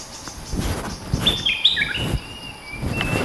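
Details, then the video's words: Bulbul decoy call played to lure a fierce territorial bird: a quick series of clear, sliding whistled notes, some falling and some level, mid to high in pitch, over constant rustling background noise. "เสียงต่อนกดอกแตงEp.218 เจ้าถิ่นดุจัดๆ มาจะขบอย่างเดียว Suara pikat denak merbah lekir gacor"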